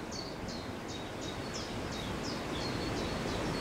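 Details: Northern lapwing on a newly made wet meadow on farmland, sunny day with strong cold north wind: thin, high, downslurred whistled notes repeat about four times a second over a steady roar of wind and low rumble.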